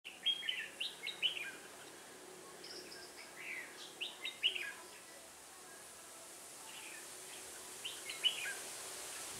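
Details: Red-whiskered bulbul during trapping with a decoy bird in Vietnam on 1 October 2018; scattered short whistled phrases of two to three notes around the upper-middle range, separated by pauses, over steady background hiss.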